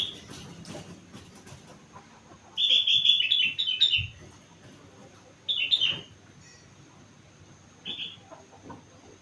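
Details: Sooty-headed bulbul aged four months, kept and singing steadily with imitations of rengganis and cucak wilis: a run of quick sharp chirping notes, then two shorter bursts spaced a few seconds apart.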